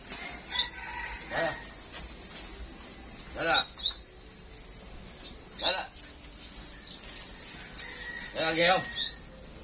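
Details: Flowerpecker singing in the morning: sharp, very high, thin upswept chirps given singly or in quick pairs at irregular intervals of one to three seconds, over a steady high whine, with faint voices at times.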